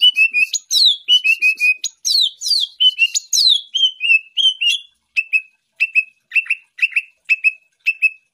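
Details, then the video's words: Champion greater green leafbird in a full-isian masteran recording: rich whistled phrases with swooping downslurs, then a steady series of short, identical chip notes repeated about twice per second. "Masteran Cucak Ijo Full Isian Burung Juara"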